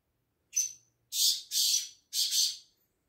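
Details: Black francolin (kala teetar) calling: a short high note followed by three longer harsh, grating notes, the last two doubled, in a quick rhythmic phrase over a quiet background.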